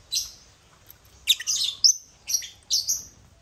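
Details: African lovebirds (Agapornis) taking over a millet crane toy: loud, piercing high chirps and squeaky twitters in quick succession, about six calls in close clusters.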